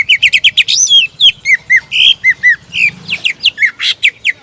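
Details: Rival-provoking song of an actively singing greater green leafbird: dense, varied phrases of sharp chirps, rising and falling whistled slurs and buzzy notes, delivered rapidly and almost without pause.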